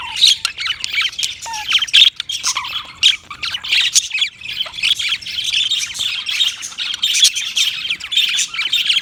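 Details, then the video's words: Budgerigars keeping up a long, steady stream of scratchy chatter, overlapping squawks and chirps with a few low whistled notes near the start. "Funny Budgies Sounds"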